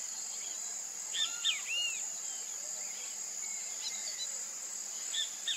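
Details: Pitangus sulphuratus, the great kiskadee, delivering a clear three-note phrase with a low arched note beneath. Fainter, partial repeats follow later, all set against a continuous high-pitched insect chorus.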